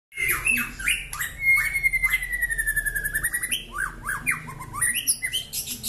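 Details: White-rumped shama (long-tailed, black-legged Bahorok strain, described as a fighter and a prolific singer) singing a rich, unbroken medley of clear whistles, slurred rising and falling notes and quick rattling trills, several phrases each second.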